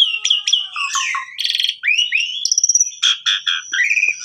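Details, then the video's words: Lure song of an Asian pied starling, used to teach canaries: sharp chips, a rapid trilled burst, smooth rising slurred whistles, then a series of buzzy notes and a high drawn-out whistle. "Pancingan Jalak Suren Cocok Buat Masteran Burung Kenari Bongkar Isian Gacor"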